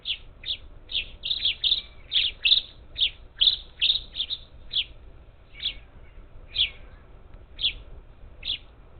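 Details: Up to ten parakeets visiting a feeder near Houston, Texas, late July 2021; a busy run of sharp, scratchy high chirps, some doubled, coming every half second or so, with no other clear sounds.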